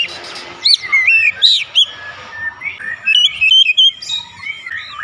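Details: Oriental magpie-robin singing as therapy to open its beak quickly: clear whistled warbles and sharp upsweeps, some quieter twittering, with broadband background noise throughout.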